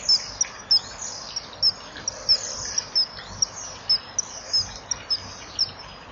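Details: Common kingfisher at a breeding-wall nest cam, 13 March 2014, 17:10, as the male arrives and clumsily passes a fish to the female: thin, piercing high whistles in a quick irregular series, roughly three a second, over steady hiss.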